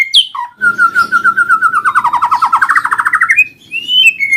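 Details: White-rumped shama singing loudly indoors: a sharp whistle, then a long rapid series of repeated notes falling and rising again, ending in bright upslurred whistles.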